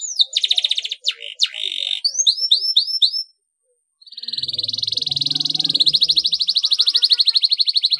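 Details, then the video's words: Domestic canary singing, used to prompt other canaries to sing: high whistled chirps and downward-sweeping notes, a short silence, then a long rapid buzzy trill held steady near the top of the range. "KENARI MANAPUN AKAN TERANGSANG & IKUT BUNYI DG CUITAN KENARI GACOR YANG INI"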